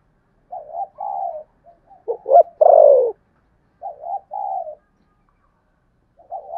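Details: Spotted dove giving contest cooing in the Sấm Thổ voice style: soft low coos with a louder descending drawn-out coo near the middle, then quieter paired coos, no other sounds.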